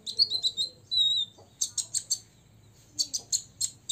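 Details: Olive-backed sunbird, six years old, provoking rivals with song: high whistles and a drawn-out falling note, followed by spaced sharp buzzy bursts repeated several times.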